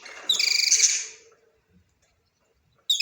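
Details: A budgerigar giving a bright, buzzy warble of rapid chattering notes that fades out after about a second, then a fresh burst of chatter starting at the end.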